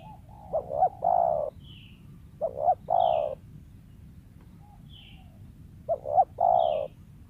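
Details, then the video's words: Wild spotted dove, a sought-after lure voice, delivering stuttered cooing phrases about every one and a half seconds, with short high chirps from another bird between them. "TEKUKUR LIAR SUARA IDAMAN PEMIKAT"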